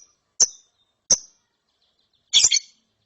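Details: Young lovebird chick chattering after therapy: three sharp, high chirps, the last one doubled and harsher, separated by clear silence with no other sounds.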